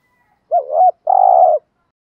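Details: Single coo phrase of a spotted dove, recorded to excite wild doves: a brief dipping doubled note, then a sustained, slightly trilled low hoot lasting about half a second, otherwise quiet.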